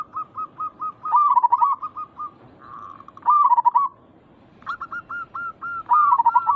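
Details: Local zebra doves, a lure recording meant to make other zebra doves answer quickly: strings of short hooked coo notes alternate with louder rolling, warbled coos, with several birds calling in turn.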